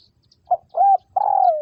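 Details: A single three-part coo from a spotted dove kept as a trapping decoy in Vietnam: a clipped first note, a smooth arched coo, then a long coo that slides downward at the end.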